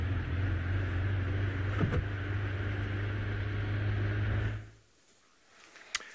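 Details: A steady vehicle engine hum cuts off into quiet, followed by a single sharp click; no animal sounds.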